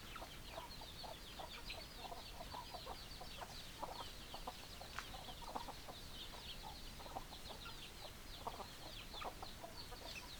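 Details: Long stretch of a chicken flock clucking: dense, short, choppy clucks with constant high twittering and a soft hiss of background noise.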